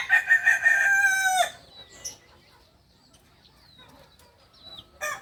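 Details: Kukuak balenggek chicken, a singer breed from Solok in West Sumatra, crowing loudly for about a second and a half with a long held note that drops at the end, followed by soft bird chirps.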